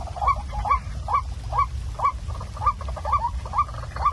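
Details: A waterhen recording played at night as a lure to trap waterhens gives short, hoarse, rising notes about twice a second, a steady run of about nine calls over a low rumbling background.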